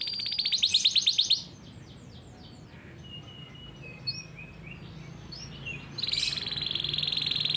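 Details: Farm-bred canary's rolling training song for young birds: a loud fast trill, then a quiet gap with faint distant chips and soft whistles, before another high buzzy roll resumes strongly.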